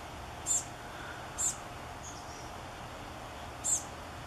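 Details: Chestnut-backed chickadees begging from their gourd nest on the morning before fledging. Three isolated, piercingly high, brief squeaks are spaced about one to two seconds apart, with a faint softer note between them over quiet background hiss.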